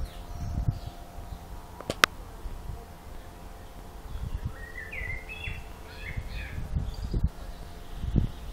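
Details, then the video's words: Lone songster in a long session along Zmajčkova pot, Slovenske Konjice, Slovenia, producing a soft run of varied chirping whistles midway, accompanied by a sharp click and low rumbling thuds. "ptice pojejo / birds singing"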